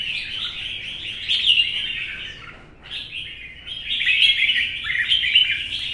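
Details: Red-whiskered bulbul, an old wild-caught bird kept in a cage, singing competitively in the morning sun: busy chirping warbles, a brief lull near two and a half seconds, then a renewed, louder chattering phrase.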